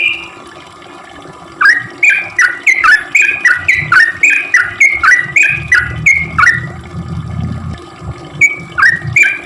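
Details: Sooty-headed bulbul singing steadily, used as a lure to get bulbuls calling: a long, fast string of chuckling notes that drop and rise, about three per second, then a few spaced notes, with low rumbling noise.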